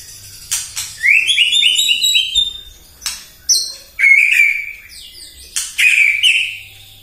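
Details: Morning lure song of a White-rumped shama, played to rouse other birds. A fast ladder of rising whistled notes, then sharp clicks, high whistles and a rich warbled flourish.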